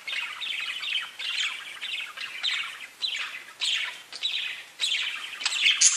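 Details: Several parakeets talking to each other in rapid chirrups, each burst a rough, warbling chatter lasting under a second, following one another almost without pause, with a sharp high squeak at the end.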